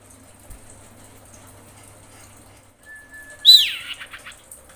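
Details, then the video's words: Female common iora in breeding condition calling a male: after a long quiet spell, a level thin whistle leads into a single loud, swiftly falling, harsh-edged note that fades in brief rasps. "KICAU CIPOW BETINA BIRAHI MEMANGGIL JANTAN"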